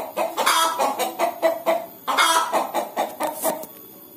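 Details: Hens about to lay eggs give a series of short, throaty clucks. They come roughly every third of a second, with louder rasping notes mixed in and a fading tail at the end.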